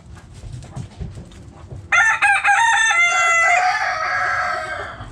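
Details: Backyard chickens: soft rapid clucking from hens, then a rooster gives a loud crow in choppy opening notes followed by a long ringing held note.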